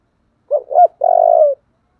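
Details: Spotted dove singing in the thổ đồng voice style, with thúc and gáy gọi cooing. Two short, rising-falling hooted notes are followed by one long, steady, mellow coo that slowly falls at the end. Quiet background.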